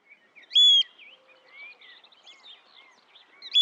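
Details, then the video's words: A Eurasian oystercatcher (Haematopus ostralegus) recorded in the wild gives a loud, piercing, flat whistled piping note, repeated at the very end, over softer chirping of other birds. "Eurasian Oystercatcher Sound – Song & Bird Calls"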